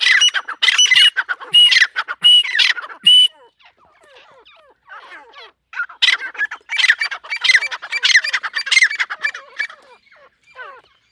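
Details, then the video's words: Female partridge, locally teetar, calling excitedly: loud grating squawks in quick bursts, a lull of faint scratchy notes, then another long run of harsh repeated calls fading out. "mdi ke Awaz # tetar sound # Teetar Voice # Atif Bhkar Bird # Tetar ke masti wali korak"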